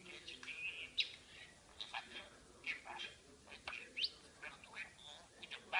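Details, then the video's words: Pet parakeet chattering its speech-like babble: quick scratchy chirps, squeaks and short whistles in an uneven string, high and thin, indoors with faint room hum. "Periquito Maca hablando."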